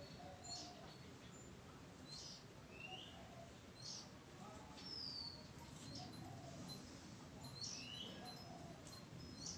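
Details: Oriental magpie-robin, recorded 05-06-23: varied high whistles and brief rising slurs every second or so, over constant low rumbling noise and a faint soft lower hum.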